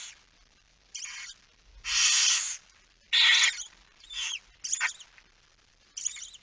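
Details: Barn owl at the nest while being fed at night, 10 September 2019, 22:45. One long hiss is mixed with shorter rasping bursts and thinner, chirping squeaky notes in an irregular, busy sequence.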